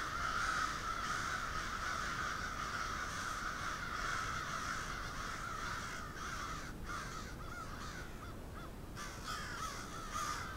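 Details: Many crows calling together on a street in Moncton, New Brunswick: a thick wall of harsh overlapping caws that thins slightly toward the end, leaving individual calls audible.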